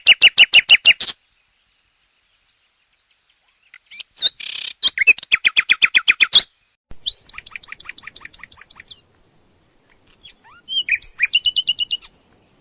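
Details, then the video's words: Nightingale song: a burst of rapid, evenly repeated sharp notes, silence, then a buzzy note leading into a fast run of clicking pulses, later a thin piping series and a closing trill of repeated chips. "Som do canto do Pássaro ROUXINOL"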